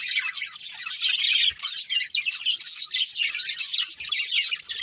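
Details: A family of pet budgerigars chirping while playing: dense, continuous high chatter of overlapping twittering notes and quick warbles, with brief pauses near the middle and end and no other clear sounds.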